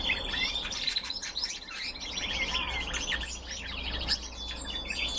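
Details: Red crossbills in captivity give a dense stream of sharp chirps and short trills, busy and irregular, with low steady hum beneath.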